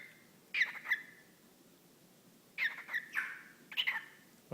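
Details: Pet whiteface lutino cockatiel, male, talking to a sock puppet held before him; two clusters of raspy, rhythmic word-like syllables separated by a pause, then a short human sound at the end.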